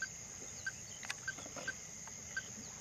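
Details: Ruddy-breasted crake uttering single short, mid-pitched notes spaced roughly half a second apart against constant insect buzzing and a few faint clicks.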